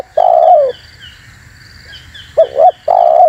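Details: Spotted dove luring call: the tail of a long low coo, then one phrase of two short notes and another drawn-out falling coo, with soft high chirping from other birds behind.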